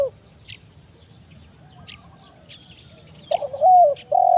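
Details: Spotted dove, a forest lure call in the kuk 1 mersik style used to draw wild doves: a loud, low, throaty coo rolling into a drawn-out note near the end, after faint scattered chirps from other birds.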